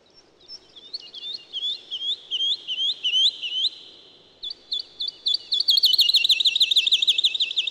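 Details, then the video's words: Song of the woodlark: a descending string of looping whistled notes, a short break, then a rapid trilling series of repeated fluty notes, fast and even, over faint low background noise. "Как поет лесной Жаворонок"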